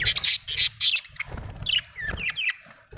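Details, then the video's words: Budgerigar chirping: a few buzzy, scratchy bursts early on, then several short whistled notes sliding up and down, with faint low rumbling beneath. "budgie chirping sound"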